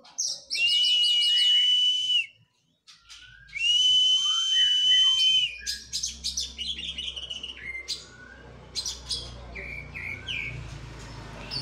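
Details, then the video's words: Oriental magpie-robin in physical training after its moult: two long, loud, steady whistled notes, each laced with rapid trills, then a burst of sharp, varied chirps and short slurred whistles over faint background hiss. "KACER PRO HYPER LATIHAN FISIK PASKA MABUNG.!!!"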